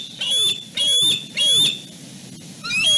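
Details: At dusk on the Fraser Point nest, a returning young male bald eagle and his sister tussle over their spot on the branches. Four shrill, piercing whistled squeals, each about half a second long, with descending slurred undertones.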